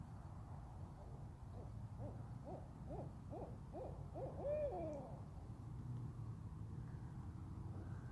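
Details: Owls calling in a yard: a run of short hooting notes, about four a second, rising in pitch and quickening, ending in a drawn-out wavering note, over low steady background rumble.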